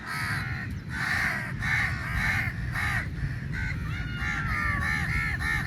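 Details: Numerous crows squabbling over meat at a feeding, dense chorus of hoarse, nasal caws overlapping continuously, some rising and falling, with steady low background noise.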